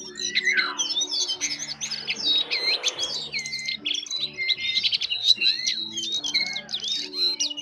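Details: Jongkangan bird singing busily in soft twittering style: a steady stream of short high chirps and flicked notes, rapid and unbroken, with a brief hiss near the start and a low hum throughout.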